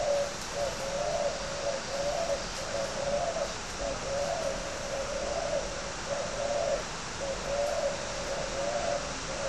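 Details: Spotted dove kept as a caged fighting dove in northern Vietnam, Ba Vì, Hanoi. Low, soft cooing phrases repeat in a steady series, roughly one each second, over a constant background hiss.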